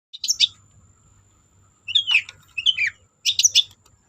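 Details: Long-tailed shrike singing in bursts meant as a lure to make silent shrikes sing: three clusters of sharp, chattering high notes, some sweeping down, separated by short pauses, over a faint low hum.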